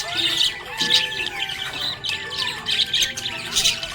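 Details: Cheerful budgie chirping, fast warbling chatter broken by several sharp squawks and scratchy bursts, lively and continuous.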